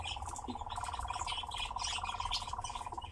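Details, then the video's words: Captive nightjar singing: a steady, rapid, mechanical churring trill held throughout, with scattered high chirps and twitters from other birds above it. "Пение и танец козодоя"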